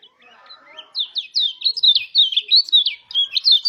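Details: Mountain white-eye singing to prompt other white-eyes to open up and sing: a rapid, bright run of high twittering notes, about three per second, slurred and chattering, rising in intensity after a soft start.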